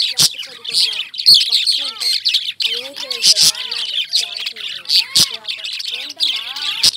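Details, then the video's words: A crowd of Indian lovebirds gives high, scratchy squawks mixed with short whistled notes that swoop up and down, with sharp clicks now and then. "Love Birds Chirping"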